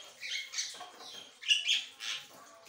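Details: Hoarse, chattering phrases from an Asian pied starling, with noisy rasps punctuated by a couple of short pure whistles.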